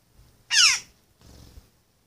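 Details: Young Western jackdaw, raised in a garden and now independent, begging to be fed by its human carer: one loud, harsh, downward-sliding squawk, rich in overtones, followed by faint rustling.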